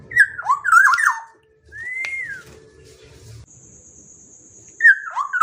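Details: Fluty Black-naped oriole phrases, rolling whistled notes sliding downward, then a single arched slurred whistle, a steady thin high tone in the background, and another rolling whistled phrase at the close.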